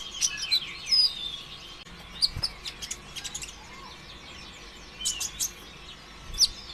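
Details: Sunbird, a greenish kolibri ninja type, singing in an energetic, non-stop style, used as a lure to get other sunbirds singing: scattered thin, high chirps and quick sharp twitters in short bursts separated by brief pauses, over faint background hiss.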